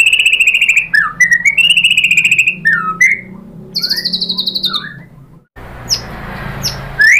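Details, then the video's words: Murai batu, or white-rumped shama, in a lure song for provoking other shamas to sing: sustained level whistles, buzzy high notes and quick slurred phrases, with a faint background hiss near the end. "MURAI BATU jadi NYAUT BONGKAR MATERI TEMBAKAN cocok untuk PANCINGAN ¦ SHAMA BIRD"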